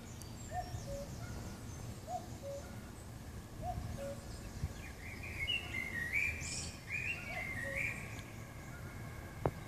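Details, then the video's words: A distant common cuckoo in Lee Valley Regional Park near Turnford, heard along the River Lee Navigation towards Turnford Brook and seemingly moving along the route, gives a falling two-note "cu-coo" about every 1.5 seconds over a low rumble, with small birds chirping. "Cuckoo sound"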